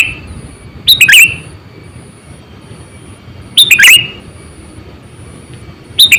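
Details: Energetic Sooty-headed bulbul call used as a bird-catching lure: two full bright, bubbly phrases of fast tumbling notes about two and a half seconds apart, a third starting at the end, over quiet hiss and a high whine.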